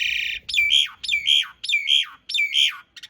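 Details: Four loud, harsh squawking notes from an Asian pied starling, each rising then falling, repeated roughly every half second; a master recording of rough fill with long rolls for training cage birds.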